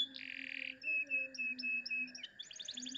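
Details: Canary with a clear voice singing in the cengkok mewah style. A rough buzzy note is followed by several pure, level held whistles with quick breaks, ending in a fast high rattling trill. A low hum sits beneath.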